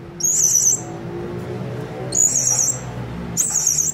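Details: Blue-crowned hanging parrot calls played to draw other birds in: three high, wavering trilled bursts spaced well apart, over a steady low hum.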